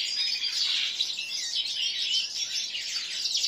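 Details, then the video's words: Seven-month-old common linnet × canary hybrids, kept among goldfinch-type birds, sing a continuous, rapid warbling song of high twittering notes and trills with no pauses. "Linaria cannabina x Serinus canaria (bastard ) Basztard po makolagwie .Bastaard kneu"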